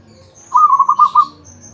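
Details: Champion zebra dove (perkutut) in ecek ecek singing, giving one cooing phrase of about six quick, evenly pulsed notes at a steady mid pitch, lasting under a second, over a quiet background.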